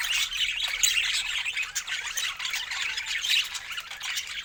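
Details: Budgerigars chattering as a flock: a dense, continuous mass of high warbling, chirping and squawky notes layered over one another, with no pauses.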